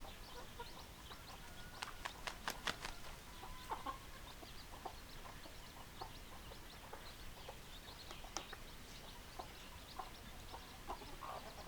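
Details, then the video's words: Chickens in a flock, hens and roosters, giving many short overlapping clucks and clicks, busy and continuous, with a few sharper notes around the second and third seconds over a steady low background hum. "Chicken Sounds Noises Hens Clucking Roosters Crowing"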